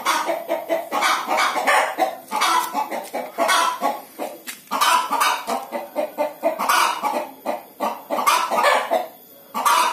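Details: Hen on the verge of laying an egg keeps up a busy, rasping cackle, rapid clucks in close series with only brief breaks.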